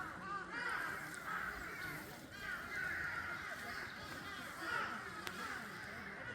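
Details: Several birds at Seongjigok Reservoir, Busan, South Korea, calling together in a chorus, possibly magpies or crows: harsh grating chatters repeated and overlapping, with a faint murmur of voices and outdoor noise behind. Finding: Eurasian magpie.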